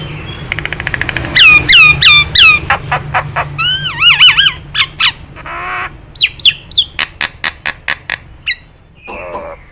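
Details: Nias hill myna recorded for other birds to imitate: bouncy looping whistles and metallic notes in quick series, mixed with harsh bursts and sharp clicks, fading to a soft call at the end.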